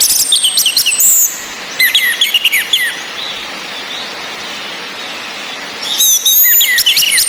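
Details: Orange-headed thrush, female whistle with rain, meant to raise caged males' breeding urge: a jumble of quick rising and falling whistled notes, a long lull of rain hiss, then more bright twittering.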